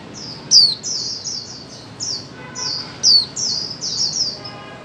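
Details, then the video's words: Female white-eye calling to encourage mute birds to sing: two loud high falling whistles surrounded by a busy run of softer rapid chirps. "Khuyên mái 2024 hàng giành cho chim câm"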